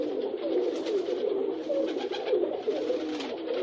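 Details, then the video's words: Rock pigeons give overlapping throaty coos, each a short rising-and-falling burble, packed into an unbroken low drone, with soft wing-flapping noise mixed in. "As asas arrulhando e batendo dos pombos.Pombos batendo asas e arrulhando"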